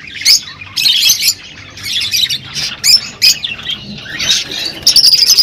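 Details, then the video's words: Rosy-faced and Fischer's lovebirds kept together, chirping to encourage mating: harsh, high squawks and chirps in bursts of about half a second, several birds overlapping, with a faint low hum behind. "تغريد طيور الروز والفيشر"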